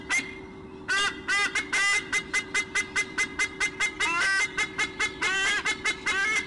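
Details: White-bellied sea eagles squonking at a nest changeover, nest cam recording: after a brief quiet start, a long series of loud goose-like honks, about two or three each second, growing denser and overlapping, over steady low hum.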